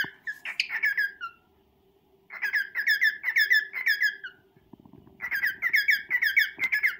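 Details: Serenade from a male cockatiel to a female: three bursts of rapid, rolling chirps with falling ends, separated by brief pauses, plus a little rustling and a constant low hum.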